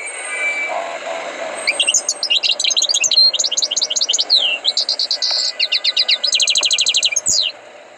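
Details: European goldfinch with taught song pouring out a long varied phrase: rapid tinkling twitters, a sustained buzzy note, then fast even trills repeated in quick succession over a steady low hiss.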